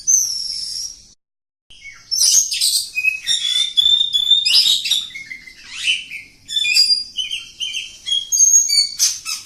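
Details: Oriental magpie-robin, village type, in extended song: a high whistled phrase, a short silence, then nonstop chatter, clear downslurred whistles and buzzy notes in quick succession.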